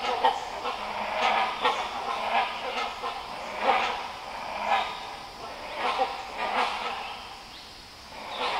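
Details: Great Hornbills in the Nelliyampathy Hills of Kerala's Western Ghats, India, several birds nearby, Zoom H2n recording: loud, rough goose-like honks, single or doubled, spaced roughly every half second to a second, with steady background hiss between outbursts.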